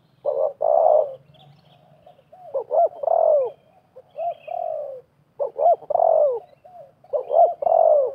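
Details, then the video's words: During 2024 trapping, spotted doves, wild and decoy, call hard at each other. A steady rhythm of bouncy double notes runs into long falling coos, repeated about every two seconds, with faint chirps overhead. "TERKUKUR LIAR DAN PIKAT BERADU/BERLAGA HEBAT"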